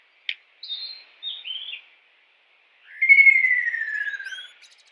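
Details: Several short, thin whistled notes from a wild kingfisher lead into a loud descending trill, rapid pulses dropping steadily in pitch before fading out.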